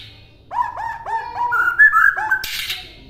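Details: White-rumped shama recording used to train other songbirds: a string of repeated curling whistles, then steadier higher notes, ending in a short harsh rasp.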